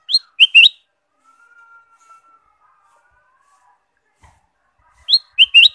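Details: Ruby-throated bulbul, known locally as kutilang emas, used as a lure for caged birds; a quick three-note bright phrase, a long faint thin whistle in between, then the same three-note phrase repeated.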